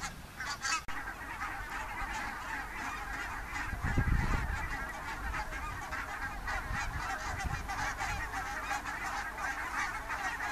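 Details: Morning commute of thousands of wild Barnacle, Greylag and White-fronted geese from IJsselmeer shallows to feeding fields near the Dutch village Gaat, October 2015: continuous chattering, cackling flock calls with a louder surge of honking around four seconds.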